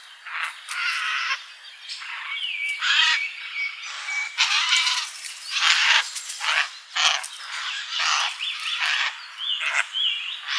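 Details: Busy summer garden feeder with several birds: a steady mix of short raspy notes, sharp chips and a few thin whistles, overlapping with no clear rhythm.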